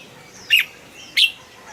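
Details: Caged red-whiskered bulbul giving two sharp, short chirps about two-thirds of a second apart. Each is a quick downward-slurred note, with a quiet background.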